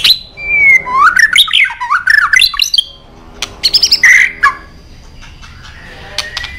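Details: White-rumped shama, a caged songbird, singing a long fluid whistled phrase that rises and falls in loops, followed by a rapid series of sharp high notes and a soft trailing whistle.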